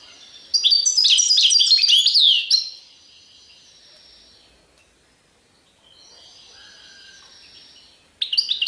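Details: Goldfinch singing in the serfati tiwawati manner: two seconds of loud, crowded, jingling twitters, then a long lull with faint thin notes and a low soft tone, before a fresh burst breaks in at the close.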